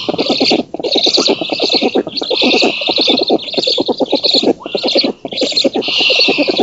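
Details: Female black stork feeding at an oak nest in Poland on 19 June 2017 and an intruder being driven off; steady, rapid rattling pulses with a breathy hiss above, in runs broken by two brief pauses.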